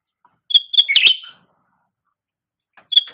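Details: Cucak rante song recorded for training caged songbirds: a quick cluster of sharp chirps sliding into a brief rolling phrase, a pause, then one more chirp pair, with no other sounds.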